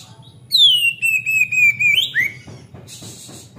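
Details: Oriental magpie-robin, singing energetically to lure untrained birds, gives one long clear whistle gliding down and holding, then a rising flick and lower upslur, before faint scratchy chatter and a high hiss.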